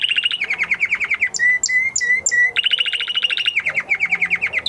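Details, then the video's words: Canary in training song after the moulting period, delivering rapid rolling trills of repeated notes, broken by a few slower drawn-out whistled notes before the fast trills resume, about 200 notes a minute. "Canary Trying To Unlock His Full Singing Potential Part 2 - Canary Singing Video"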